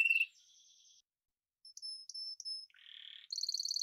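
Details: Scattered Spanish timbrado canary song notes: a short whistle, a soft buzzy roll, silence, three clipped high notes, a low buzz and a rapid high trill.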